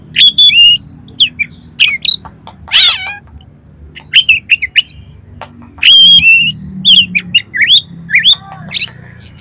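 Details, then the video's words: Kacer, the Oriental magpie-robin, singing in a recording meant to prompt another kacer into song and tail-spreading: bright high whistles and slurred chirps in quick bursts, separated by brief pauses, with a raspy burst midway. "DALAM HITUNGAN DETIK KACER KALIAN PASTI LANGSUNG ON !!! MAU BUKA EKOR"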